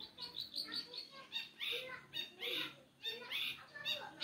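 A long-tailed shrike sings a fast, rambling medley of harsh buzzy bursts, scratchy chatters and a few clearer whistled notes, about one phrase every second.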